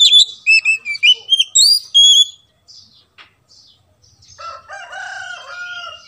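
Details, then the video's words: Oriental magpie-robin song used to coax silent birds into singing: a rapid run of loud, sweet whistled notes, some sliding up or down, followed by a pause and softer, lower warbled phrases. "PANCING BURUNG KACER Macet agar BUNYI"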